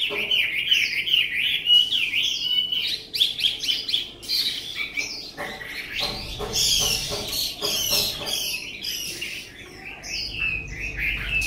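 Chinese hwamei pouring out a loud, varied song of rich whistles and rapid slurred phrases, dense and continuous, with some background rustling.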